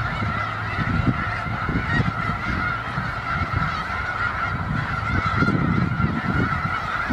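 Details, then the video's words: Wintering snow geese in a huge flock, Skagit County, Washington, producing a steady wall of high yelping honks from many birds at once, accompanied by low wind-like rumbling. "Snow Geese"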